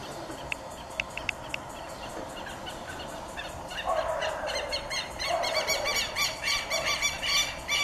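Southern lapwing giving loud, harsh, strident notes in a rapid excited series, building after a few scattered sharp clicks at the start.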